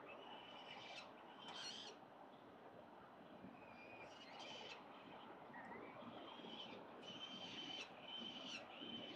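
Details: Young wild peregrine falcons out for a morning walk at their 367 Collins building nest, 25 October 2022, live nest camera; bursts of harsh, wavering calls roughly every one to two seconds, some longer and steadier, over low city noise.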